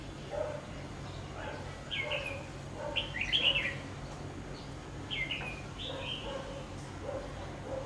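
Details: At a trap, a decoy red-whiskered bulbul delivers short, sharp, liquid phrases in separate bursts roughly every one to two seconds. Softer low notes are heard between them against a constant background hiss.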